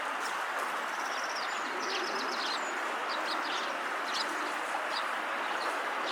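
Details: Riverbank Eurasian tree sparrow calling at sunset: groups of short high chirps and a few twittered notes, irregularly spaced, set against loud continuous broadband background noise.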